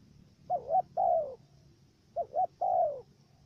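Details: Decoy dove in Cà Mau, Vietnam, calling to draw wild doves into a trap. Two clear coo phrases: a double hiccuping hoot, then a long, smooth, downward-sliding coo, repeated once after a short pause.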